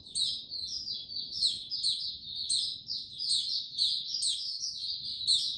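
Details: A male white-eye, known locally as Mata Puteh, builds confidence toward full song on 06-03-2022: rapid, high-pitched chattering phrases run without pause, punctuated by sharp squeaky upward notes.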